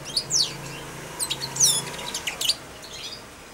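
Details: Hand-fed young European goldfinch, four months old, singing subsong in its cage; a few sharp, high, slurred chirps and tinkling notes in short groups, ending quietly.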